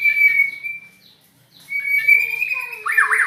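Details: Strange-voiced white-rumped shama giving long steady whistled notes, pausing about half a second, then another drawn-out whistle ending in a quick warbling flourish.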